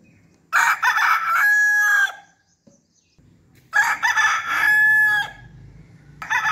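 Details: A rooster's morning call: it crows twice, each a loud, harsh, drawn-out cock-a-doodle-doo lasting about one and a half seconds, with the brief start of a third crow at the end.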